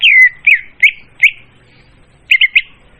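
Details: Trapping lure recording of a leafbird, loud and clear: a long falling whistle followed by three short looping whistled notes, a pause, then a quick burst of three rapid chirps.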